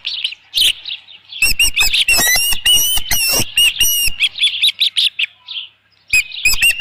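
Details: Osprey on the nest at Dunrovin Ranch, 27 June 2018, a headless fish present: insistent high squealing chirps, clustered densely between about one and a half and four seconds, softer calls after, then a final burst.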